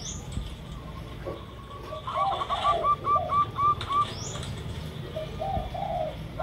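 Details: Zebra dove, a local bird used as a lure, gives a quick series of short cooing notes about four per second, with wing flaps at the start and lower coos from another dove alongside.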